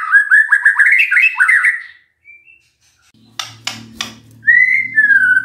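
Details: Magpie-robin song used as a lure to make a bird reply: a lively warbled phrase, a pause broken by a few knocking sounds and a low hum, then a clear, slurred whistle.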